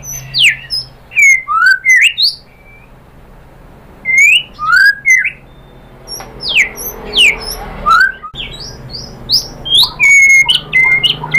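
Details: Shama song as a provoking lure: spaced bursts of sharp, rising and falling whistled notes, separated by short silences, with a light background hum.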